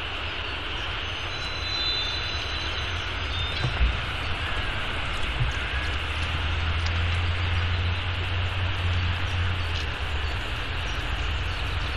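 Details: Steady low rumble of city traffic and engines with broadband hiss, with no animal calls standing out.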